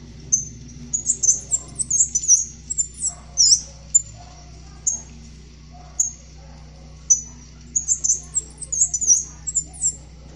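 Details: Black-chinned mountain tanager (Anisognathus notabilis), a species of Colombia and Ecuador, song: very high, thin jumbled twittering notes in quick bursts, pausing briefly between phrases, over a low steady hum.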